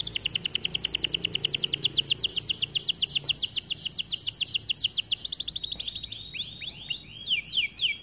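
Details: Singing white canary delivering a long, steady, very rapid trill of sharp notes for about six seconds, then switching to quick rising and falling slurred whistles.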